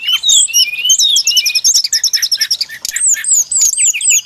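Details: Trapping-lure recording of a brown-chested jungle flycatcher: a dense, fast warble of high chirps and slurred whistles, followed by several separate arching whistled notes near the end.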